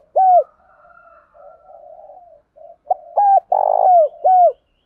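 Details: A captive decoy spotted dove (Spilopelia chinensis) gives short, hollow coos with soft murmuring notes between, calling to lure wild doves.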